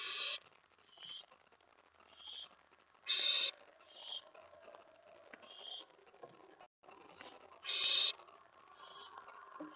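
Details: Owl nest at 11:28 PM, May 15, 2017, during a prey delivery: irregular hissing screeches, some loud and some faint, scattered across about ten seconds, with a short silent gap near the middle.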